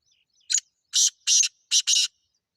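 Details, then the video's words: Call of a wild francolin in natural surroundings: five loud, harsh, buzzy bursts, one short, then two longer, then a close pair, in quiet. "جنگلی تیتر کی زبردست آواز"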